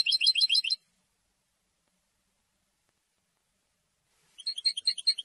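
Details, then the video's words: A European goldfinch sings to claim its territory and court females. There are two short bursts of rapid, high, tinkling twitters, each under a second long, with a long silence in between. "How to develop a distinctive vocal personality for your goldfinch"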